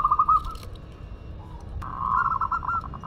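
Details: Local Madura zebra dove singing actively: a rapid run of soft, bubbling cooing notes at the start, a short pause, then a longer rolling phrase of quick, pulsing coos over a faint background hum.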